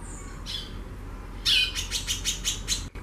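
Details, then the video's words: Female white-bellied seedeater singing a lot: a brief high thin note, then a rapid series of about seven sharp buzzy high notes in a quick chattering burst, over quiet low background hum. "FÊMEA DE CHORÃO XAXANDO MUITO"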